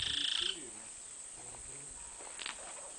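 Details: A Black-capped Donacobius in Colombia gives one brief, high, ringing note with a harsh edge, then a faint chattering burst. A steady insect hiss runs throughout.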